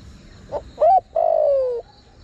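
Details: Spotted dove cooing as a lure for wild birds: a soft short note, a rising-then-falling coo and one long, steadily descending drawn-out coo, with faint high buzzing in the background.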